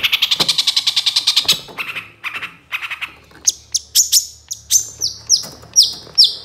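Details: Long-tailed shrike song used to goad other shrikes into singing. Opens with a rapid, even rattle, then rough separate notes and a string of high, falling whistled squeals repeated at short intervals.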